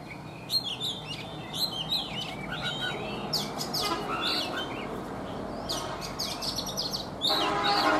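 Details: Morning song of a caged Oriental magpie-robin, an older wild-caught bird held three seasons: a rapid, varied run of sharp whistles, chirps and trills, loud and dense, with constant low-pitched background rumble.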